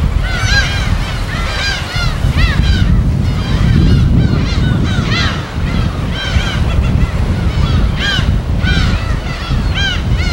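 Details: A field recording of a gull colony on an uninhabited island in the West Sea: repeated clusters of harsh arched mewing calls over loud rolling surf and wind.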